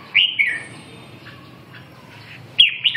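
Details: Red-whiskered bulbul singing: a short burst of bright, warbled whistles sliding between high and mid pitch, a quiet pause, then a similar rich phrase at the end. Background is low and steady.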